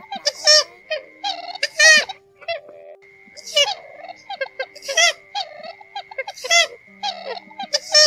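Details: Lone purple swamphen away from the flock, calls used to lure birds into nets at night: bursts of harsh, buzzy, nasal squawks at an irregular pace, with a constant thin tone underneath.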